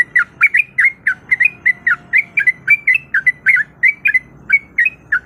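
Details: Breeding female sooty-headed bulbul calling to a male, used as a lure: loud, dense run of bright, chirping whistled notes, evenly strung together without a break, on a quiet background.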